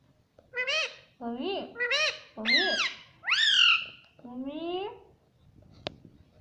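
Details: Pet talking parrot repeating mummy: a run of six voiced, rich-toned syllables, each rising then falling, packed into about five seconds, the last ones stretched and squeakier, ending with a sharp click.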